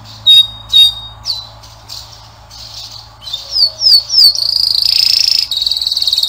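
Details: Singing canary giving scattered short whistles and chirps with pauses, then a few quick falling slurs and a long, steady high buzzy trill.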